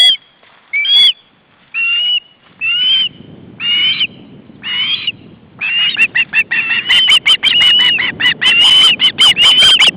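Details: Three osprey siblings, two recently fledged, begging when the male brings fish, August 2012: spaced whistled cheeps every second or so that accelerate into a dense, frantic run of calls.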